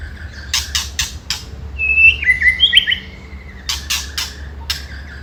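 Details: White-rumped shama ketrekan used to provoke rival birds: sharp rattling clicks in short bursts, then a few bright whistled notes in the middle, with more clicks near the end.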